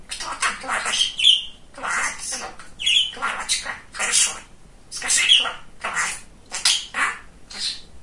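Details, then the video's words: Pet male budgerigar, described as very chatty and funny, talking indoors: rapid bursts of raspy, speech-like chatter mixed with short sharp whistled squeaks, in phrases separated by brief pauses. "Самый Разговорчивый Волнистый Попугайчик"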